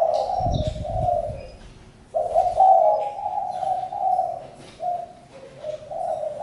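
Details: A spotted dove coos in low notes. A burst of rustling noise comes early on, then louder, clearer coos follow in short segments after two seconds.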